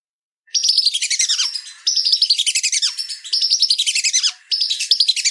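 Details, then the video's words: Whistling duck calls: shrill, rapid twittering whistles in bursts of about a second, each ending in a drooping note, repeated four times with brief gaps; a training recording of whistling duck calls. "Suara Masteran Belibis"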